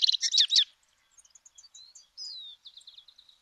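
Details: Sedge Wren from Argentina giving a loud, harsh, rapid chatter, followed by thin, faint, high twittering notes and short whistled slurs trailing off.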